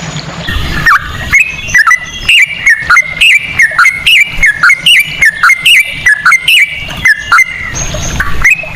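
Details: Yellow-vented bulbul singing ropel in cucak rowo style, used to prompt singing: a regular chain of bright whistled notes, each rising then dropping, repeated a little more than once per second.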